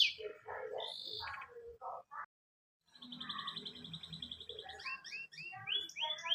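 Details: Canary song used to prompt a pet canary to sing: varied chirps and short notes, a brief gap, then a long buzzy trill and a run of quick rising whistled notes, with faint lower sounds beneath.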